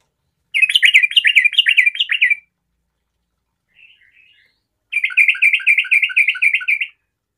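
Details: Sooty-headed bulbul, a lively singer meant to make other bulbuls join in, delivers two bursts of rapid, bubbly, repeated warbling notes with a faint quiet twitter between them.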